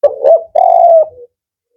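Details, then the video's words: Male spotted dove of the "kuk 4" type, whose voice is described as firm and rhythmic, gives a low cooing phrase: a short coo, a brief pause, then a longer sustained coo that fades into a soft closing note. "Tekukur Kuk 4 Jantan"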